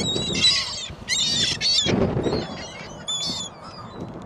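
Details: Gulls at a shopping mall on Christmas Day 2014 in very strong wind, giving harsh squealing calls in bursts with a stacked, nasal quality, all over heavy wind rumble.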